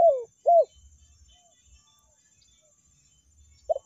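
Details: Spotted dove (tekukur) lure sound for meratus and melambung calling: two quick mellow coos, a pause with faint low thumping, then the start of another coo at the end.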